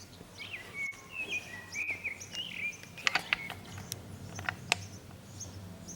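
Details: Urban common blackbird on an antenna in Zamudio, Bizkaia, 18 April 2019, delivering a flowing fluted phrase of slurred whistles over about three seconds, then a burst of sharp high clicks and chips.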